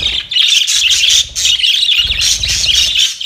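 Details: Budgies at play keep up an unbroken chatter of high, buzzy chirps and warbling squawks layered over one another, with faint low rumbling underneath.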